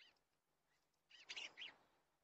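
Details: Eastern bluebird recorded by a nest camera: a soft high note, then a quick burst of three or four bright, chattering chirps partway through, and a quiet background.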